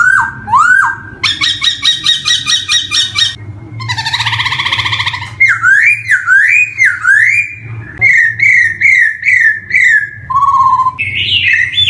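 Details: Poksay hongkong, the black-throated laughingthrush, sings a lure recording for young birds beginning to sing: harsh buzzy rattles alternate with looping whistles, repeated rising whistled phrases and a low steady whistle near the end.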